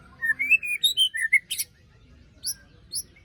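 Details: Lure recording of a white-rumped shama after moult, giving a fast rising string of sweet whistles, a harsh rasping burst, then two thin high notes spaced apart.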